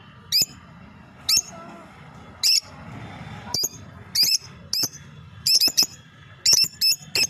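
A lovebird gives shrill, sharp chirps, single or in quick pairs, about once a second against a quiet low room hum.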